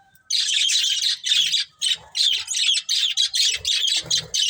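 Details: Budgies give continuous loud, scratchy warbling, high chattering notes in close succession, broken by a few brief pauses and faint low thumps.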